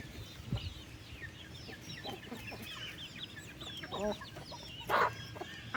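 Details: Chickens on a farm during afternoon feeding, 15 August: soft scattered clucks and chirps over a steady murmur, with two louder squawks late in the clip.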